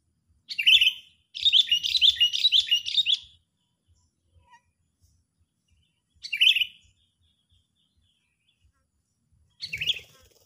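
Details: A lure sooty-headed bulbul in full agitated voice for trapping: a short burst followed by a long rapid chattering string of repeated whistled notes, then two more short loud bubbly phrases spaced about three seconds apart.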